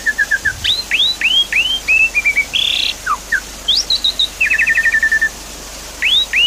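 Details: Javan pied starling lure song for a bird that has gone quiet. A varied phrase of short whistles, upward-sweeping notes repeated about every half second, a harsh buzzy burst, and a fast chattering run of clipped notes.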